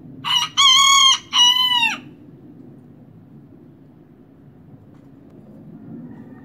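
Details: Kikiriki from a small bantam-type young rooster: a short lead-in note, then two clear tonal bursts, the second bending downward, followed by several seconds of quiet background hum.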